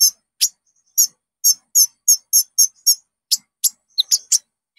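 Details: Caged-bird lure song of the Common Iora, or konin: well-spaced, high, doubled chirps repeated at a steady pace, ending in a few quicker, sharper notes.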